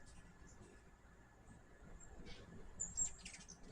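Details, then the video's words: Hummingbirds at a backyard feeder give thin, very high chips, a few brief squeaky notes rising above a low steady background hum. "My first hummingbird video with natural sound."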